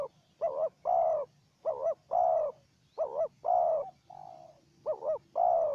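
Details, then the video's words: Calling duel between a decoy spotted dove and a wild spotted dove. The coo phrases come in close succession: short wobbly double notes, each followed by a longer full coo, with one softer lone coo midway. A faint low hum runs underneath. "Pikat dan Terkukur Liar Adu Suara"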